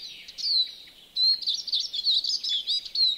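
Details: European greenfinch in a farmyard at Joroinen, Finland: a high twittering phrase of quick chirps and short trilled notes, a brief pause, then a fast run of varied chirping notes over a faint steady hiss.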